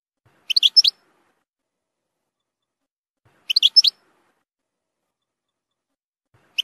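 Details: European goldfinch song used for training young goldfinches to sing: two brief bursts of high, tinkling, twittered notes roughly three seconds apart, separated by silence.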